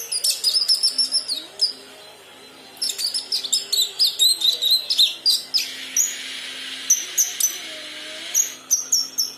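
A young Kinoi practises its song: rapid, high, twittering chirps in uneven bursts, with a brief pause and a soft hiss midway.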